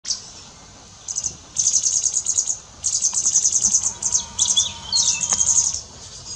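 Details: Pied wagtails feeding fledglings in a garden give very high, rapid, buzzy chittering in bursts of about a second, with a few thin whistled notes between.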